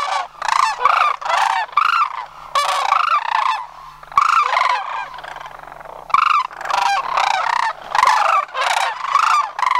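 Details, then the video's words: Sandhill cranes gathering for autumn migration at Homer, September 2009, flock of about 100 birds; close, loud purring bugles repeated in quick overlapping series, each call rolling and rattled, with a few short lulls between bursts. "Homer's Sandhill Crane Migration--September 2009"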